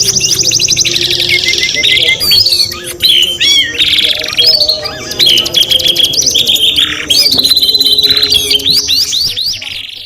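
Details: Canary in full, unbroken song: fast repeated trills, sharp up-and-down whistled notes and bright rattling phrases that change every one to two seconds. The song is dense and high-pitched throughout, with no other sounds standing out.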